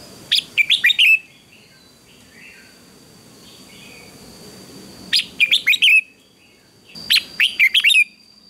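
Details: Red-whiskered bulbul singing in a morning duel: three loud phrases of five rapid whistled notes each, repeated every two to three seconds, with faint warbling between phrases.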